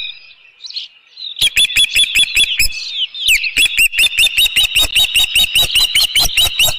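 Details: Osprey on its nest at Dunrovin Ranch, 25 May 2018, sounding off at an intruder: rapid, regular run of sharp whistled chirps, about two or three per second, growing louder after a brief pause.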